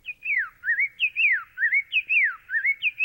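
Common Yellowthroat song slowed to half speed: clear, swooping whistled phrases repeated in a steady rolling pattern, each phrase dipping and rising about once a second.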